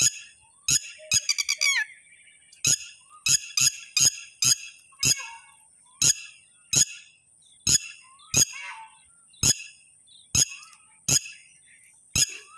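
Red-wattled lapwing giving sharp, strident, high notes, a quick stuttering burst at first, then single cries about once a second, over a steady high insect hiss.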